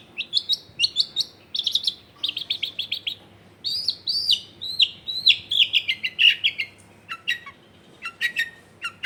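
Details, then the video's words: Long-tailed shrike song serving as a lure for lazy shrikes, recorded at home in a crowded neighbourhood: long, varied chattering phrases of high chirps and quick trills, with a constant low hum underneath. "SUARA BURUNG CENDET GACOR PANCINGAN CENDET MALES BUNYI"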